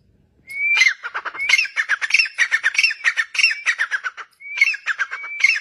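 Grey francolin giving loud, harsh, ringing notes in fast repeated phrases, each opening with a short rising whistle, with a brief pause before a new series.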